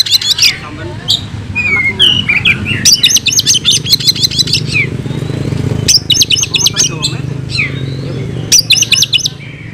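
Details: Oriental magpie-robin (kacer) in fighting song, delivering its mimicked fill-in phrases: scattered whistles and chips, then three fast bursts of sharp repeated high notes separated by quieter whistled sweeps, over a steady low hum.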